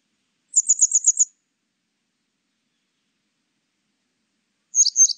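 Grey wagtail giving a quick run of six sharp, high, metallic 'tzit' notes, then a short double note after a pause. Quiet background.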